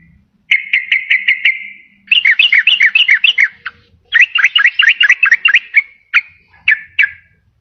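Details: Sooty-headed bulbul lure song for attracting wild birds and stirring lazy singers: a short row of repeated chirps, two quick bubbly warbled phrases, then a few spaced single notes.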